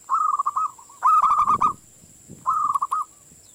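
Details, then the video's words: Young local wild zebra dove singing a lure song meant to get other doves singing: short cooing phrases of a drawn note that breaks into quick stuttered pulses, three phrases with pauses, and a faint steady high hum behind. "SUARA PANCINGAN MANGGUNG BAKALAN PERKUTUT LOKAL ALAM BIKIN PERKUTUT LAIN IKUTAN MANGGUNG"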